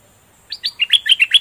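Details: A short, lively double-style phrase from a caged bulbul in full plumage: around eight quick, rising and falling chirpy notes that grow louder toward the end.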